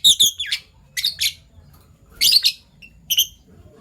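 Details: Pet Fischer's lovebirds, a PB violet and a Euwing gold opaline, in the morning: loud shrill chirps and squawky notes in short clusters about once a second, with a brief gap before a final pair.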